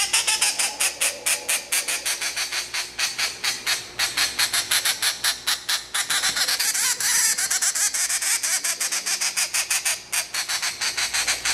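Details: A two-month-old hand-reared grey treepie (Dendrocitta formosae) begs to be hand-fed with harsh, rasping squawks, about five or six a second, in a steady insistent stream with brief pauses.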